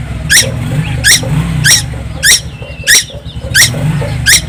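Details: Constantly singing young tuwu on Timor Island, Indonesia: a series of rasping, squeaky bursts spaced a little over half a second apart, with a continuous low rumble behind.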